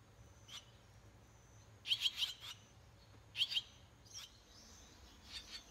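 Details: Swallow nestlings, six in a doorway nest in rural Japan at 18 days after hatching, giving clustered high squeaky chirps in two bursts, with softer scattered cheeps around them.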